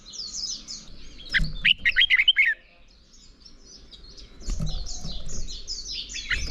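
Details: Red-whiskered bulbul morning song for provoking rival birds; a short loud burst of quick chirped notes, then quieter distant chirping phrases over steady low background noise.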